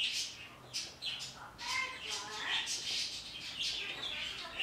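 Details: Pet parrot chattering to outdoor birds in the morning: nearly continuous raspy squawking with speech-like warbled syllables and a few higher chirps, loud and busy throughout.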